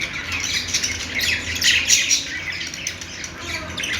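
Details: Budgerigar chirping: a dense run of scratchy, squawking chirps and short buzzy notes crowding together without a steady beat, loudest near the middle, over a faint low hum.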